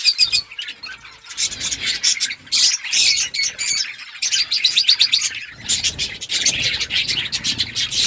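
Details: Budgies chirping to one another in lively bursts of high, buzzy warbled chatter separated by short pauses, with soft low background rumble.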